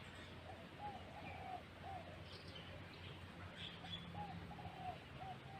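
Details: Brooding zebra dove with two young chicks, cooing melodiously: quick strings of short, mellow rolling notes repeated in several phrases, set against a constant low droning hum and a few distant high chirps.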